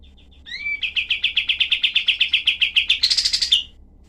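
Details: Cream-vented bulbul, rough shooting song for tutoring other songbirds: a rising whistled slur opens a fast run of about twenty-five harsh chattering notes, ending in a higher, squealing flourish before a sudden stop.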